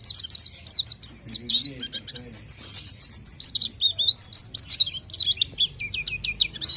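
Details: Orange-headed thrush, locally pelci, singing its main song: fast jumble of high chirps, trills and slurred whistles, varied and varied-pitch, with faint lower murmurs in the background.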